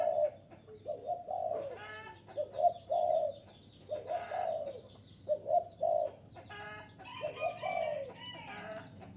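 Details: Spotted dove played to lure wild doves in strongly, giving low, hoarse cooing phrases in runs of two or three notes, repeated every couple of seconds, with sharp chirps and clicks breaking in between.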